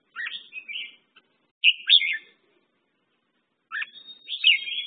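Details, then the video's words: Red-whiskered bulbul, locally merbah jambul, with three quick bubbly whistled phrases, each a tumbling burst of chirpy notes, separated by pauses of about a second. "red whiskered bulbul/ merbah jambul"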